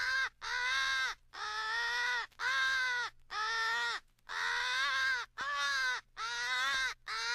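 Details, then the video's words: Rally call of American crows in a staged crow-owl fight for hunting: long, strained, nasal caws about a second each, separated by short gaps, in a steady series. "American Crow/Owl Rally Call"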